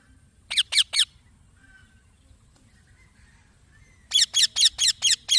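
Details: Green baby parrot: three scratchy high chirps, a long quiet pause, then a steady string of six more, roughly two a second.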